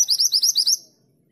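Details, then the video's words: A female mountain mantenan calls to the male with a brisk string of six or seven high upward-sweeping chirps that stops abruptly, followed by quiet. "Mantenan gunung betina memanggil jantan"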